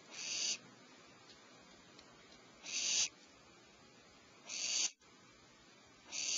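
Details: Before dawn at 04:47 PST, owlets whose mother is delivering prey to their cavity give four hoarse hissing screeches, roughly every two seconds, separated by quiet background.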